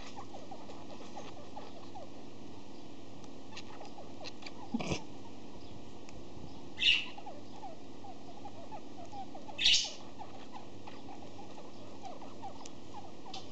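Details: A pet budgerigar with the sniffles makes odd sounds: a few short, hissing sniffles and sneezes over a low background hum.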